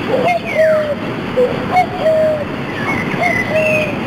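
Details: Common cuckoo in France along the canals, in rain-wet treetops, giving low, hollow two-note calls about every second, answered by a person's cupped-hand imitation; the agitated bird flew around overhead calling back, over steady background noise.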